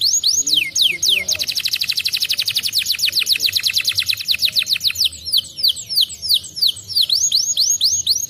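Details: Canary singing as a prompt to get another canary to answer: rapid dense trill of fast repeated high notes for several seconds, opening with descending whistled sweeps and giving way to slower looping whistled phrases toward the close.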